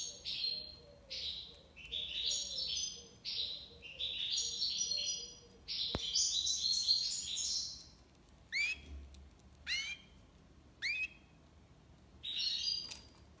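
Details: European goldfinch delivering tiwawati-style song: a run of rapid twittering, tinkling trills repeated about once a second, then a louder jangling flourish, followed by scattered sharp rising chips with pauses between, over faint low hum.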